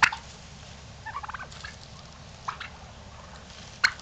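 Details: Strutting turkeys kept by their owner: a quick run of rattling, pulsed notes about a second into the recording, a single brief burst later, and sharp clicks at the start and near the end over a quiet background.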